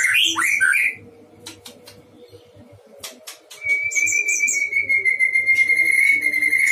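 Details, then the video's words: Caged white-rumped shama at a breeding pen: a quick burst of warbled notes, a quiet pause with sparse clicks, then a long steady sustained whistle held for about three seconds. "Murai batu gacor di kandang ternak"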